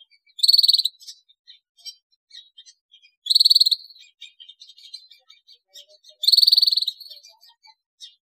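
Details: Canary singing steadily, a recording meant to spur other canaries into song. Three short, loud, buzzy rolling trills arrive about every three seconds, separated by quiet ticking and twittering notes.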